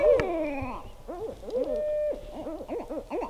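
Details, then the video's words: Barred owl pair at night near a campsite in north central Kansas, calls taken as mating behaviour; a loud descending wail opens, then rapid bouncing hoots, a long steady tone, and more quick cackling hoots with some rumble. "Barred Owls Calling at Night"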